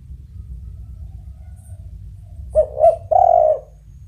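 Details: Spotted dove cooing: two brief, rounded notes, then a longer sustained low coo. A steady low rumble runs underneath.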